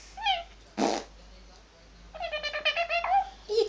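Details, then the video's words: A male eclectus parrot, excited and dancing, says "crazy": a nasal, harmonic squawk, a burst of breathy noise, then a quick run of chattering, word-like syllables in a talking voice. "eclectus parrot saying crazy"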